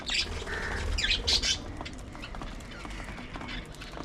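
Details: Pet budgies utter a short series of rasping squawks and chirps early on, then quieter chatter trailing off over steady low room noise.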